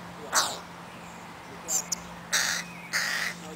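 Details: Crow chicks begging from their mother, recorded 20 July 2011 in Helsinki, Finland; four harsh, hoarse calls spaced irregularly over a few seconds, with a steady low hum underneath.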